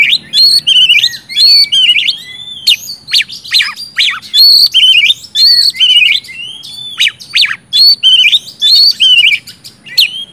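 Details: Steady stream of oriental magpie-robin song, played to spur non-singing birds, mixing clear whistled phrases, harsh scratchy notes and abrupt downward sweeps in a rapid, nearly unbroken sequence.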